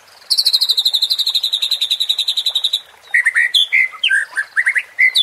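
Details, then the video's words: Murai batu, the white-rumped shama, in a provoking sound meant to stir emotion: a long, rapid, even trill of high notes lasting over two seconds, followed by varied slurred whistles. "MURAI BATU JADI TERPANCING EMOSI DENGAN SUARA PANCINGAN INI"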